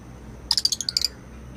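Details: A peach lutino lovebird gives a quick run of about nine shrill, high chirps packed into half a second, then falls silent; a faint low hum is heard underneath; lovebird.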